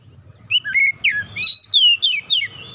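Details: Stressed White-rumped shama (kacer) giving a short run of rich whistled notes, sliding and downslurred, over a low rumbling background.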